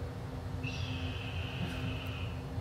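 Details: Red-tailed hawk (Buteo jamaicensis) gives one hoarse, drawn-out scream of nearly two seconds, falling slightly at the end, over a low room hum; this call is often dubbed over bald eagles in movies.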